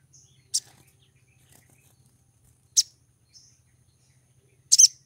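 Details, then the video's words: Female Brown-throated Sunbird in heat, calling to attract a male: three sharp, very high chirps spaced about two seconds apart, with faint thin whistles between them over a low steady hum. "PANGGILAN SOGON BETINA BIRAHI MEMIKAT SOGON JANTAN"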